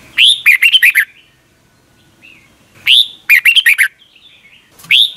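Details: Red-whiskered bulbul from Thailand, a caged bird singing the doubled song style, played each morning for young birds to copy: a rising whistle runs into a quick burst of about five warbled notes. The phrase repeats after two seconds, and a third begins at the end.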